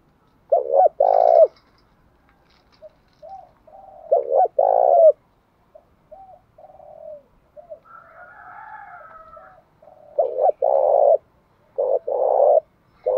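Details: Spotted dove as large as a pigeon, urging a fight in the 'thổ bầu' voice: repeated phrases of short coos and longer rolling coos, with soft low murmurs and a brief whistled tone in between.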